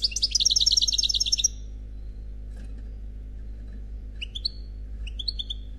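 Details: European goldfinch, an unmated male, giving khalwi-style song: a dense, rapid rolling trill of liquid twitters for about a second and a half, then silence broken by a few paired high chirps.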